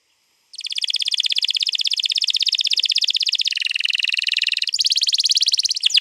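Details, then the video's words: Canary singing a long rolling 'ngerol panjang' song used to prompt other canaries to sing, recorded 21 April 2022: a rapid, even, high buzzy trill running over five seconds, shifting pitch twice near the end. "pancing burung kenari jadi ikut bunyi GACOR Ngerol Panjang"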